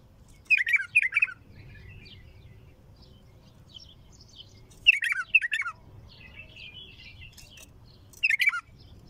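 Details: Bulbul singing in bursts of sharp, rapid chirped notes, each burst two or three quick descending phrases, separated by pauses of several seconds with faint higher twittering between; low background hum.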